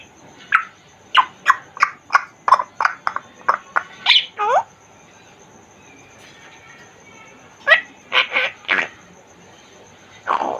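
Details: Caged Congo grey parrot producing a quick string of about a dozen clicky, chattering syllables, a falling whistled phrase, a long quiet stretch, then a few more sharp squawks.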